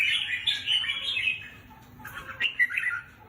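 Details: Caged red-whiskered bulbul, a cage bird judged for competition potential, sings bright warbled phrases around two to four kilohertz-high pitch, with a lively run early on and a second burst of rising and falling notes after a short pause.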